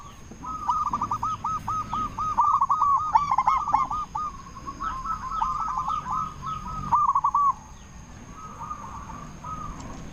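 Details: Local zebra dove calling loudly as a lure for other zebra doves: a long, rapid series of quavering, rolling coos lasting several seconds, then fading to a softer trill; a steady faint whine in the background.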